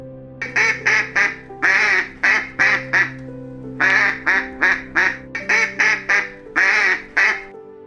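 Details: Duck quacking in loud, nasal bursts, grouped in short runs of three to four quacks, over steady background music with sustained tones.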